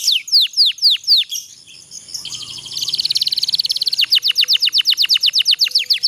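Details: Canary singing a long rolling trill meant to get idle canaries singing: several sweeping whistled notes, a brief soft pause, then a dense rapid trill that opens into quick descending whistles.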